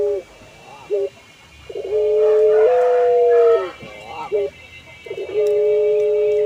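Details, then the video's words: Puter pelung collared dove, ornamental bird with a long, flowing melodious song, bobbing as it calls: brief quavering notes leading into a long steady coo stepping slightly upward, then another rising into a sustained tone. "Burung Puter Pelung – Suara Merdu"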